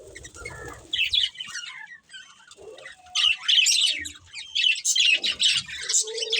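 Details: A breeding pair of budgerigars chirping: dense, rapid, high warbling chatter in bursts, with scratchy squeaks and trills that pause briefly near the middle, and a few soft wing flutters and low thumps.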